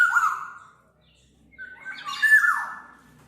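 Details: Black-naped oriole singing for use as a lure or tutor, giving a rich downward-slurred whistle, a pause of about a second, then a louder rolling fluty phrase that dips in pitch.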